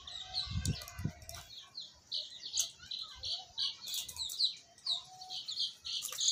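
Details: Several baby chicks peeping continuously, short high chirps crowding together, with a few low thuds early on and occasional sharp clicks.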